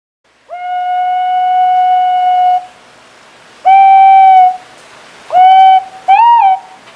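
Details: White-bellied green pigeon singing: a long, steady, fluty whistle held for about two seconds, followed by two shorter pure whistles and a final note that wavers upward and back down.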